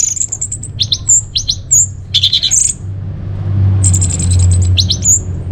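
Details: Orange-headed thrush song for luring and tutoring caged birds: quick high whistled chirps, sweet slurred notes and short trills in tumbling bursts, pausing briefly before another rapid high chatter, over a low steady hum.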